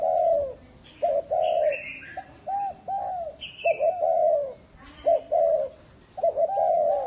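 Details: Spotted dove kept as a lure bird, delivering rhythmic series of hollow, mid-pitched coos with clipped introductory notes and drawn-out endings, almost continuous, with occasional high thin chirps from another bird.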